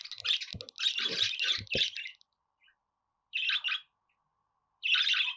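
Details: Budgerigar chatter: dense, scratchy, buzzy phrases with a few low knocking sounds at first. After a pause come two separate short bursts of harsh, rasping notes.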